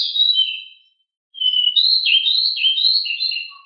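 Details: Pied bushchat delivering its rolling 'ngeroll' song, called very agile and very noisy: a short high warble, a brief gap, then a fast, continuous string of bright, rising and falling notes.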